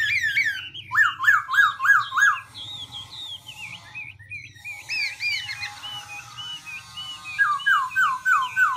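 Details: Continuously varied song of a Black-throated laughingthrush: a run of about five rolling, looping whistles, twittering mid-section phrases, then another rolling series near the end, with a soft background hum.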